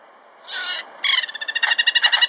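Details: Giant kingfisher calling a mate in Kruger National Park on safari. The call is very sharp: a brief harsh note, then a fast run of loud, clipped, rattling kek notes that speed up toward the end.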